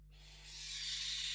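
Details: Western barn owl inside a nest box at the Riet Vell reserve in the Ebro Delta, Spain, during the expulsion of an unringed intruding owl; a harsh, breathy hiss swells steadily louder for over a second.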